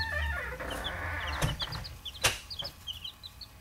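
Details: Buff Orpington and bantam chicks giving rapid high peeps in irregular bursts, over a steady low hum and occasional sharp knocks.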